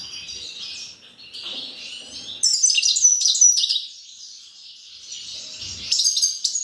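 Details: Grey-crowned goldfinch singing a rapid, high twittering song of tinkling trills and buzzy notes, quieter at first, then a louder bright burst midway and another lively phrase at the end.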